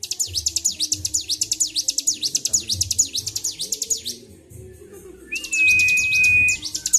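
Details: An excited Bar-winged prinia in full, unstoppable song on 26 February 2023. It gives quick, shrill, zigzagging notes for four seconds, a short pause, then a flat held whistle before the notes resume.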